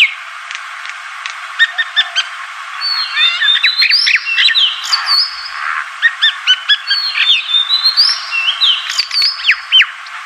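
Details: Yellow-vented bulbuls (Pycnonotus goiavier) in the Philippines, several calling together, giving bubbly, chattering notes in quick bursts with rising and falling whistled phrases.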